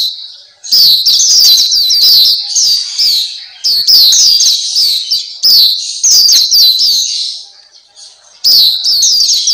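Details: Masteran recording of the black-capped white-eye, Pleci Papua: several bursts of rapid, shrill, warbling twitters, fading briefly before a final loud burst.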